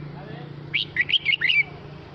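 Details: Male red-whiskered bulbul calling the flock with one rapid phrase of five loud, clear, warbling whistles, each note sliding up and down, over a low steady hum.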